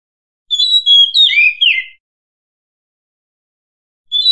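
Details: Female Oriental magpie-robin, used to call in males, sings a quick phrase of clear, varied, sliding and warbled whistles lasting under two seconds, then pauses before the next. No other sounds.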